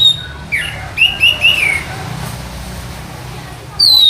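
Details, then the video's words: Orange-headed thrush in training as a master songbird, giving a short run of three clear whistled notes, then a quiet gap before one high, descending whistle at the end, over low steady hum. "Melatih Mental Masteran Anis Merah"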